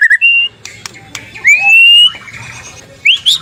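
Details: Whistled song of a white-rumped shama used in the morning so other shamas start singing: short clear notes, a long smooth rising whistle, and a final upward sweep, with faint low background hum.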